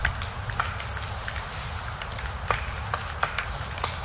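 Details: A female three-toed woodpecker pecks in a pine forest, where it strips bark for insects: sharp, dry taps come irregularly, about six in four seconds. Other knocking nearby is a black woodpecker hammering high in a pine, over a steady low outdoor rumble.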